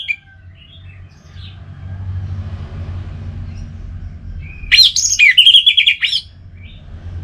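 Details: Kept orange-headed thrush in North Bali gives a single vigorous phrase of fast, varied whistles, high slurs dropping into wavering notes, after several seconds of near silence with a low background rumble.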